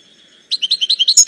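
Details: A thin faint tone gives way to European goldfinch song: a rapid run of bright, liquid, alternating high and lower twitters, about ten notes in under a second.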